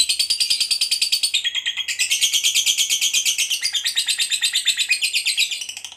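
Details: Long ngekek chattering from a fighter lovebird, played as a lure to get other lovebirds chattering: a rapid, continuous run of harsh, high, rattling notes, shifting pitch midway and tapering off at the end.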